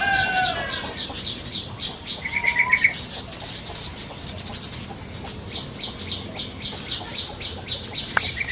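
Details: Yellow-vented bulbul singing in the wild: short descending slurred whistles at the start, then a busy soundscape of fast high chirping trills from other birds over a steady pulsing insect drone.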